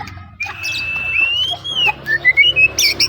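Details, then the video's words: White-rumped shama singing: a long, clear whistled note that slowly rises and bends, then a quick series of short bright whistles, with some background noise. "murai pastol"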